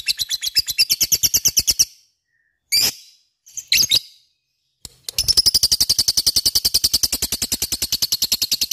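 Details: Lovebird ngekek chatter of quick high chirps, interrupted by a gap with a few isolated squeaky notes, then a long unbroken rattle again.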